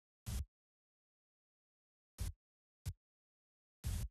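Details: Near silence at Charlo, Montana, on 22 August 2023 in the afternoon, broken by four short, dull broadband thumps.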